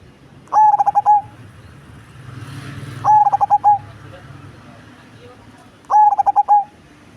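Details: Perkutut cemani, a large-bodied zebra dove with a big, deep bass voice, giving three cooing phrases of rapid pulsed notes that end in a held tone, roughly every two and a half seconds, with faint background murmur.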